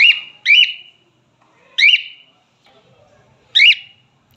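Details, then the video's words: Male cockatiel, a pet parrot, whistling in spaced bursts: a pair of sharp rising-falling notes with a held tone, then two single notes about two seconds apart, faint room noise between. "Cockatiel male parrots"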